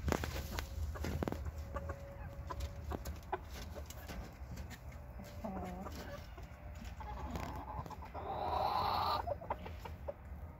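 A Cochin rooster gives a hoarse, drawn-out crow near the end, after scattered clucks, over steady low background rumble.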